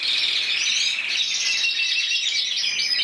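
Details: Intense yellow canary, 2014 Spanish champion with 94 points, singing a brief stretch of smooth rolling trills and a sustained, wavering high whistle.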